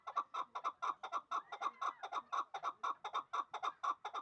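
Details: Regular, rapid clucking from a two-year-old hybrid fighting and hunting partridge in Dushanbe: paired chuk notes repeated about twice a second at an even pace, with a brief thin whine in the background.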